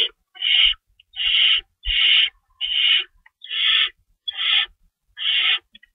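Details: Feeding time at an owl nest at 3:53 AM, March 25, 2012, with two rabbits stored as prey. Seven harsh, hissing screeches follow one another at an even pace, each roughly half a second long, with light thuds underneath.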